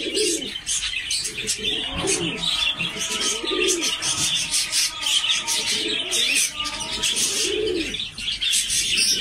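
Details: Jafari pigeon, said to be the world's smallest pigeon type, giving low rolling coos in bursts, partly masked by a constant chorus of high, busy chirping from other small birds.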